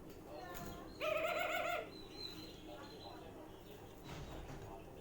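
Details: A baby budgerigar gives a brief, nasal, harmonic-rich call with a slight waver.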